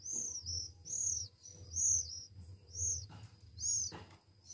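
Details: One-week-old Oriental magpie-robin chicks being hand-fed, begging with five high, arched squealing notes about one second apart, over a low steady hum.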